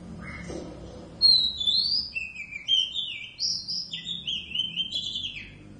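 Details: Caged pair of Oriental magpie-robins kept at home, said to sing the whole day; after a soft opening note comes a rich run of clear whistled phrases, some sliding down and some held, repeated with short gaps over about four seconds.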